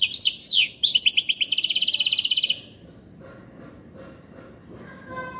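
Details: Goldfinch hybrid singing: a fast run of bright, high twittering notes, then a brief pause, then a rapid buzzy trill of evenly repeated notes lasting over a second. After that the song stops, leaving quiet background noise with a few faint notes.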